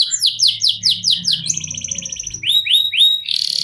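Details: Canary in long-duration ngerol song used for singing contests: a row of quick descending high notes, then a buzzy rolling trill and sharp upswept whistles, over faint low background hum.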